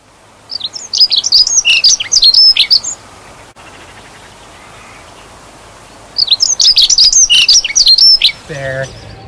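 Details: On an early February morning in Mill Road Cemetery, Cambridge, a dunnock sings as the breeding season nears, advertising to mates. It gives two quick, high, jingling warbles of about two seconds each, separated by a pause, with a man's voice starting at the end.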